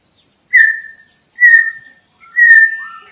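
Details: White-rumped shama song for luring birds: three clear level whistles about one second apart, each opening with a sharp bright attack and fading gently, with a faint softer whistle at the end.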